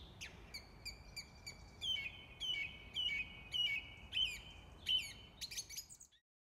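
A song thrush sings bright, clear whistled notes with sharp chips, repeating the same short phrase several times in quick succession over a faint background hiss.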